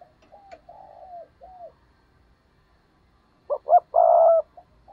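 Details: Spotted dove used as a decoy, giving stuttering 'gù cà lăm' coos meant to stir up wild birds. Softer gliding coos come first, then two abrupt stuttered notes and a long steady coo.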